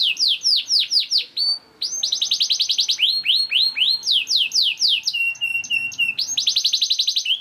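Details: Young canary song used as a lure to prompt canaries to sing: fast, high, continuous swooping whistled notes and rapid buzzy rolls, switching phrases every second or so.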